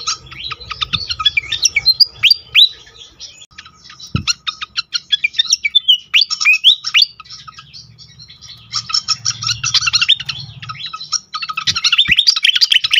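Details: Pied fantail song from a lure recording for caged fantails: long busy sequence of squeaky chirps and slurred whistles, a dense buzzy burst in the second half, a few sharp clicks and low hum.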